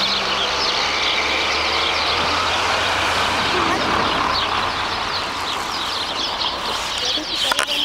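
Sparrows chatter in a dense flock, quick high chirps and trills running together without pause, over a steady rumble of traffic noise.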